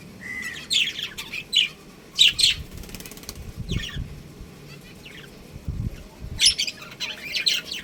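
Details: Pet budgerigars, a breeding pair, make scattered high scratchy chirps and short warbles between quiet gaps, with low thumping noises from wing flapping or movement.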